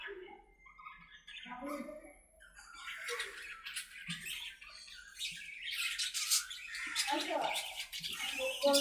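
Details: Aviary budgerigars talking among themselves: a soft tonal warble at first, building into louder, dense, scratchy squawks and chirps that overlap to the end.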